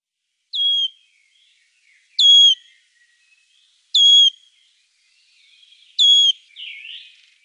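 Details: Wood warbler, recorded among birds of Lithuania, gives four plaintive, high whistled 'piu' notes that slide downward, about two seconds apart, with a faint softer chirp at the end.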